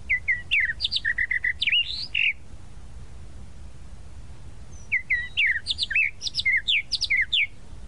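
A tropical mockingbird sings two rapid bursts of varied whistled and chattering phrases, mostly high-pitched, with a quiet pause between them.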